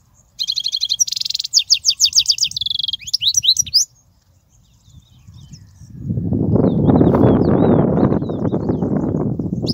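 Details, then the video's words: European goldfinch song used for teaching young goldfinches: rapid twittering, tinkling trills and buzzy notes for about three and a half seconds, then a loud broad rumbling noise that drowns the rest. "تغريد الحسون, الذي يبحث عنه الجميع"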